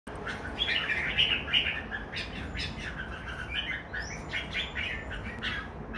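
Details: Red-whiskered bulbuls, two birds kept together, giving warbled, slurred mid-pitched notes in a quick jumble, with high thin rising whistles from other birds and a busy rustling background.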